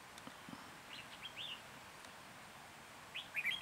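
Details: Red-whiskered bulbul decoy at a trapping site in Hòa Bình, Vietnam, January 2021, gives a few soft slurred whistles, then a louder, tighter warbled burst at the end over steady outdoor hiss.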